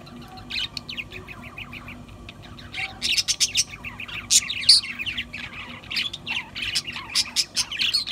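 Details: Several budgerigars in continuous warbling chatter, quiet rapid ticking notes at first, then dense bursts of scratchy chirps and bright squeaks filling the second half, with low steady hum beneath.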